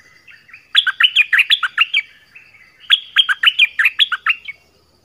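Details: A nok dok taeng bird sings clearly in two rapid phrases, each a string of about nine to ten loud, lilting whistles that flick up and down in pitch, with a short, softer warble between them.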